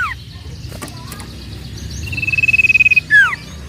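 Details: Sooty-headed bulbul sounds used to stir up other birds so they start singing quickly: a short falling slur, a long steady pulsed trill, then a clear downward whistled slur, with faint low background rumble.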